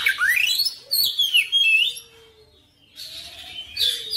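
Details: Oriental magpie-robin singing a busy, gacor phrase of sweeping whistles and twittering notes, then a short pause before fresh scratchy bursts; a faint low tone runs underneath.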